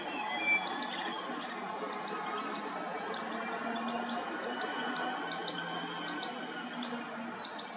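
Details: European goldfinch filmed with a Nikon P1000 camera; short, thin, high chirps and twitters scattered irregularly over eight seconds against a steady background hum and faint tonal noise.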